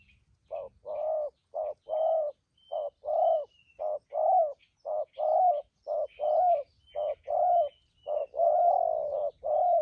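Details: Spotted dove, a wild-caught bird with a fine voice, repeats soft hollow coos in the thúc gù manner, almost one each second. Short notes alternate with longer swelling ones, over quiet background twittering.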